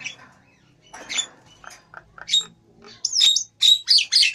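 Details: Nias hill myna, grey-headed and singing briskly, starting with soft scattered clicks and short notes, then breaking into loud, rapid, squawking and whistled phrases in the final second and a half.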